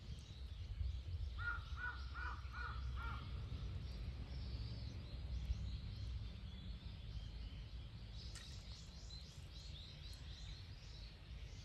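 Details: Crow recorded on 12 November 2024; a quick run of five harsh, evenly spaced caws early on, then quieter surroundings with low rumbling noise and faint distant chirping.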